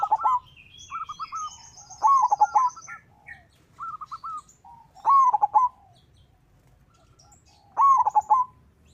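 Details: Local zebra dove singing actively as a lure for other doves. Its rolling, quavering coo phrases repeat every few seconds, mixed with shorter clipped notes and high twittering from other birds.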